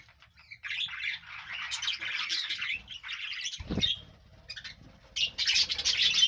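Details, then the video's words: Group of budgerigars chirping, a dense chattering mix of warbled high notes with a brief thump partway through and short quieter gaps. "Beautiful Birds chirping sound"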